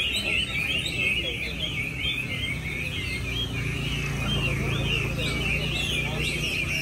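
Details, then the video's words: Chinese hwamei singing contest at Mỹ Đình, Vietnam, on 19 July 2020, where bird number 37 won first prize. Looping, rising-and-falling whistles pour out continuously, layered over steady background voices and crowd noise. "HỘI THI HỌA MI HÓT MĨ ĐÌNH 19/7/2020"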